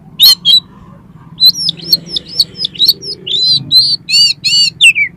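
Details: Kacer, the Oriental magpie-robin, singing to lure another kacer into song and tail-spreading: two loud rasping notes, then a lively string of rapidly repeated whistled chirps, many bending up then down.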